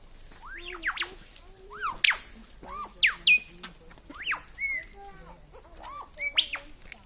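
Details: Mimicking lyrebird in the Sydney area runs through imitated typing, toy-gun sounds and other birds' calls: arching whistles, fast upward sweeps, clipped chirps and a loud sharp burst near two seconds, delivered in a varied, uneven stream.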